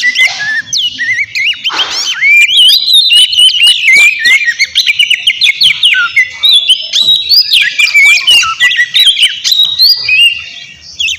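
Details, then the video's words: White-rumped shama singing loudly and continuously to provoke a rival; dense stream of quick whistled notes, zigzag trills and clicks, around three to four elements per second, over eleven seconds. "Terapi suara KACER GACOR Ribut buat PANCINGAN KACER Lawan Langsung NYAUT"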